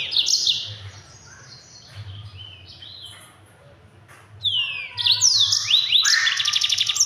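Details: Yellow-fronted canary, local name mozambik, in a fast, dense training song for other birds: an opening high trill, a softer pause of faint chirps, then a loud run of descending whistles and buzzy rattling trills.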